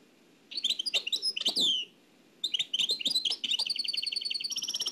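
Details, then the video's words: Nightingale from Oued El Alleug, copied off an old cassette: bursts of varied chirps and a loud slurred whistle, a short silence, then dense notes ending in a fast rhythmic trill. "تغريد واد العلايق نقلته عن كاسيت قديم بصحتكم خاوتي معمر روسينيول"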